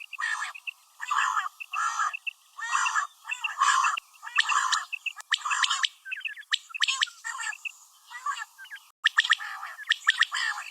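A female common quail gives harsh, buzzy paired notes about once a second, becoming quicker and more scattered toward the end.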